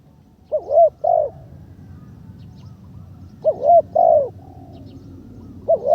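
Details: Spotted dove in its third decoy training session gives two double-note coo phrases and begins a third, over a soft low rumble.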